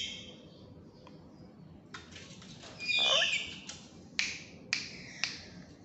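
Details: Tame black-capped lory, a pet bird said to be very tame and to talk, gives a few harsh, broadband squawks: one loud burst near the middle, then three short sharp squawks about half a second apart, over quiet room noise.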